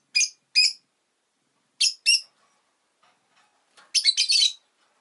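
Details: Two pairs of shrill, high-pitched chirps from a pet rosy-faced lovebird, each pair quick and doubled, followed by a dense burst of several rapid screechy notes near the end, with faint town noise.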